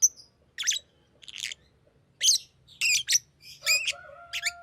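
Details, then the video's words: Green lovebird producing clusters of buzzy high chirps and squeaks, with a faint level tone toward the end. "Green Lovebird Chirping Sound"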